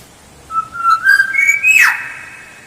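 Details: Black-naped oriole lure song: one fluty phrase of whistled notes rising in steps, ending in a harsh, downward-sweeping rasp with a lingering tone.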